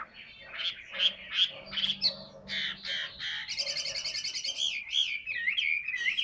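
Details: Caged hwamei, large 'tam hoàng' type that sings much. Harsh, bursting notes give way to a fast, buzzy trill and then slurred, warbling whistles, over a low background hum.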